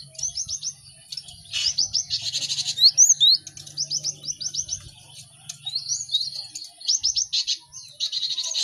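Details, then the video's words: Busy cinereous tit singing used to teach birds quickly: clusters of rapid high chevron notes in short trills, a harsh buzzy burst, varied slurred whistles, and a steady faint low hum. "Pacingan gelatik batu ramai untuk maksimalkan burung belajar cepat bunyi"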